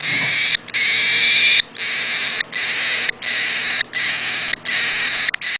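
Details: Raspy, hissing calls from an eight-day-old chick come in steady bursts of roughly a second each, separated by brief pauses, with a faint whistled tone inside the noise.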